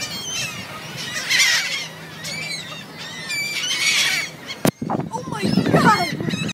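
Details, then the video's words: Seagulls at City Island, a group calling with drawn-out harsh squeals and yelping notes. A sharp break midway is followed by lower rumbling sounds beneath the continuing calls. "Seagulls on City Island"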